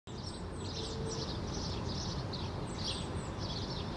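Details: A male house sparrow perched in an apple bush in Helsinki, Finland, in June 2013, gives steady, repeated cheeping chirps while shaking his feathers, over a low background rumble.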